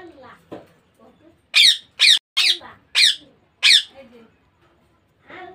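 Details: Baby Indian ringneck parakeet making its natural calls: five loud harsh rasping squawks in a row about half a second apart, with softer low sounds and murmurs before and after, indoors.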